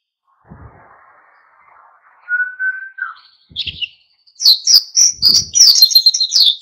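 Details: Oriental white-eye singing in lively ngalas style to provoke other birds into singing. A steady mid-pitched whistle comes first, then a dense burst of high, rapid chirping twitters.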